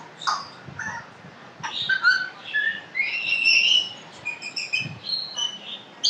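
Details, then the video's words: Talking pet African grey parrot runs through varied whistled notes and squeaky calls, some rising and falling, in a busy stream lasting several seconds, with faint low household sounds. "full talking African grey parrot best parrot talking in the world"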